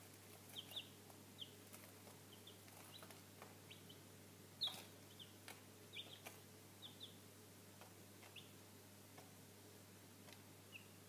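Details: Three-day-old Cochin chicks, a Chinese breed, give thin, high, downslurred peeps scattered through the recording, singly or in quick pairs, over a steady low electrical hum and soft rustling.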